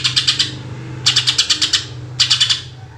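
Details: Greater green leafbird singing 'tembakan' shooting phrases, recorded as a lure for other birds. It gives three quick volleys of rapid, high, clicking notes over a steady low hum.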